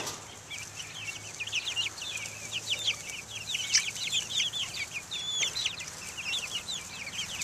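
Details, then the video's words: A flock of chicks, Buff Orpingtons, Black Australorps and Americanas, out in the open air in 2010, giving dense, continuous shrill peeps, each a quick downward or upward slur, many birds calling at once over a steady low hum. "Chicks Out Taking the Air"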